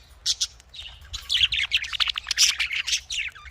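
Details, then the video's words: Budgerigars, called Australian parrots, kept for breeding: rapid bursts of chirps and warbled squeaks, dense and overlapping like a chattering group, with a faint low hum underneath. "Australian parrot voice|Australian parrot ki awaz"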